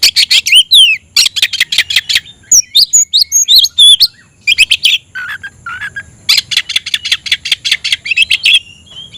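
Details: Singing oriental magpie-robin calling out a fighting rival: loud rapid chatter, a run of varied looping whistles, lower rolling notes, then another long burst of fast rattling notes ending in a thin whistle.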